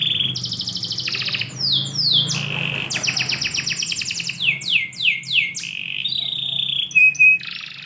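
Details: Canary singing indoors at morning, packed with rolling buzzy trills and quick falling sweeps, ending with a short level whistle; faint low hum in the background.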